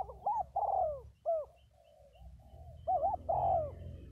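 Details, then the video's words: Two spotted doves (cu gáy) kept as decoys, in the thổ voice style: low mellow cooing, bubbling short notes then a longer drawn falling coo, repeated twice, with a faint soft coo between and low background rumble. "Cu gáy 67 : Hai Bổi Thổ"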